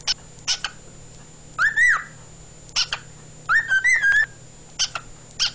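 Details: Male pet cockatiel singing indoors, recorded February 16, 2011: two whistled phrases of smooth, warbling notes that rise and waver, separated by sharp broadband clicks and taps, over a steady low hum.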